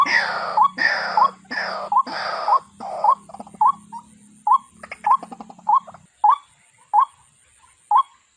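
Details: Waterhen (jal murgi) gives harsh, rasping bursts, then a steady series of short, rising, nasal call notes spaced roughly every half second, gradually spacing out.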